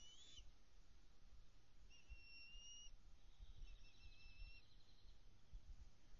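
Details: Bald eagles at the NCTC nest on June 24, 2020, as adults deliver prey and a live fish to a young eagle. Thin, high whistled notes come in two short series, over a low rumbling background.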